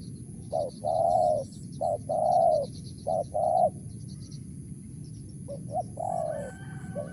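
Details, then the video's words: Wild spotted dove with a crisp 'mersik' coo: three short-long cooing phrases, a pause, then softer coos returning, accompanied by faint high twittering from other birds and a steady low background rumble. "BL suara Mersik//Tukang Keliling//Aren4 Laman"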